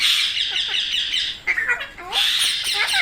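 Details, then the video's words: Continuous shrill, rasping parrot screeching with dense, fluttering notes, dipping briefly in the middle into a few lower, curved squeaks before the loud harsh chatter resumes. "Parrot Natural Sounds Compilation | Parrot Sounds |Baby Parrot Sound"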